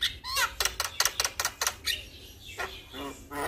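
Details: Male Javan myna calling to other mynas: a rapid series of loud, harsh clicking notes with ringing overtones, followed by a few nasal squeaky slurs.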